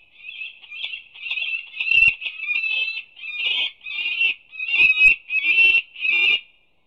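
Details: Female peregrine falcon at a nest scrape at UC Berkeley on 25 April 2019, chirping to her two newly hatched chicks during their first feeding so they open their beaks for prey. About ten harsh, buzzy, even calls in quick succession, with faint lower clicks.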